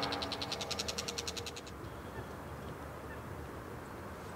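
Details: Bull-headed shrike in Japan, filmed for its courtship song, giving a fast, even run of about twelve harsh ringing notes, roughly seven per second, then stopping, leaving low rumbling background noise.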